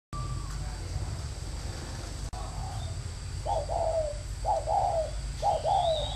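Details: Caged decoy spotted dove from a bird farm in Ba Vì, Hanoi, Vietnam, in a thổ versus còi cooing contest: after three quiet seconds, three short two-part coo phrases arrive about once a second, with faint chirps above.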